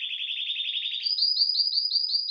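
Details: Male canary in breeding excitement delivering a rolled tour: a low, even buzzing trill for one second, then a jump to a higher, slower series of clear repeated notes, about eight per second.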